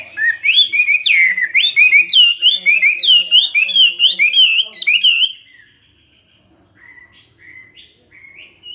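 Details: Chinese hwamei kept in a cage for two years sings a fighting song: a burst of loud, tumbling, warbled whistles for about five seconds, then quiet, then a few softer spaced notes.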